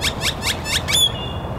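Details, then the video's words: A loud grackle: five harsh, broadband rasping bursts in quick succession, about four or five per second, ending in a thin high whistle, over steady background noise. "Another Loud Grackle"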